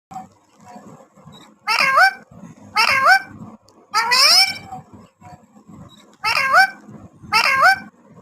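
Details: Pet parrot talking, repeating a short high, nasal two-part phrase five times in bursts about a second apart, each with sliding, bent tones; faint low indoor background murmur.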